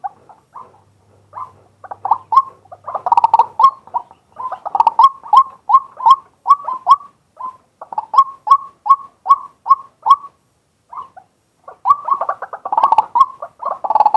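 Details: Male white-breasted waterhen calling in daylight, filmed live on a set-up camera: long sequences of rhythmic, croaking notes, roughly two or three per second, with brief breaks and a denser, rougher passage near the end.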